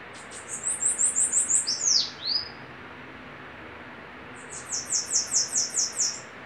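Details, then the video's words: Bananaquits in a singing duel: very high, thin rising notes in quick runs of about eight, a slurred downward-curving note between them, with a pause before the series returns. "Duelo de sibite cantando"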